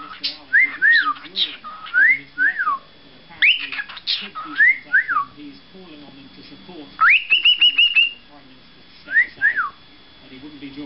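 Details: Pet parrot, a male, trying to whistle the last line of "Pop Goes the Weasel" indoors: short rising and falling whistled phrases in bursts, then a run of rapid repeated notes, with pauses between.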